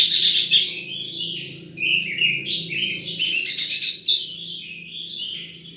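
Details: Wild sunbird giving a busy run of high, thin chirps and quick twittering phrases, with a few harsher buzzy bursts in the middle; a faint low hum sits underneath throughout.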